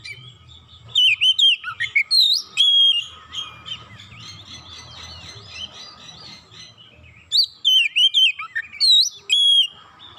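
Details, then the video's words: Oriental magpie-robin singing emotionally when provoked once: a burst of loud looping whistles, a long stretch of soft rambling warble, then another rapid series of sharp hooked notes. "Kacer sekali pancing langsung emosi bongkar isian"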